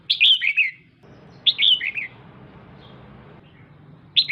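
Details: ['Captive female red-whiskered bulbul calling to stimulate a male: two quick runs of three or four descending chirps, then a lone note after a pause, over low-frequency noise.']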